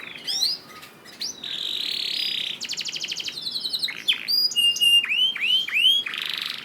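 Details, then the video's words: Masteran canary song for coaxing other canaries into singing: a buzzy sustained roll, a fast ticking trill, then repeated downward-sweeping whistles and a dense high chatter. "MASTERAN KENARI GACOR AUTO RESPON UNTUK KENARI ANDA YANG SUSAH GACOR"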